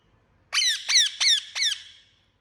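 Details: Pet Indian ringneck parakeet chirping, four sharp screechy notes in quick succession, each dropping steeply in pitch, about a second and a half in all, in a quiet setting.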